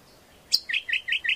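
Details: Greater green leafbird singing, a recording used as a lure and master song: a sharp high note, then four evenly spaced slurred whistles.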